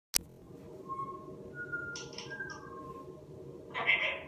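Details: A pet African grey parrot named Red gives a few clear, level whistled notes, then short breathy, voice-like bursts in a small, quiet room. Finding: Grey parrot.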